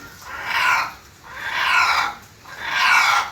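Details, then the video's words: Red junglefowl in Java giving three harsh, broad, noisy calls, each about a second long, repeated roughly every 1.1 seconds with short quiet gaps between. "keindahan ayam hutan merah Jawa"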